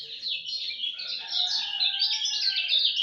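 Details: Lemon-bellied white-eye in dawn song, a dense high twittering warble of fast repeated notes, with a lower thin whistled line running beneath and a soft background rumble.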